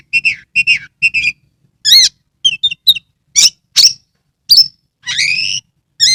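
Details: Caged Oriental magpie-robin in Kebumen, Central Java, sings with tail spread, meant to coax quiet birds into song. Three paired chirps, then sharp arched whistles, squeaks and a long buzzy rising note, all loud and clear.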